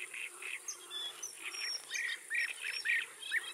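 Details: Rufous-tailed scrub robin singing: short bursts of chirpy, slurred notes around mid-high pitch in quick repeated phrases, with brief pauses between them over faint background hiss.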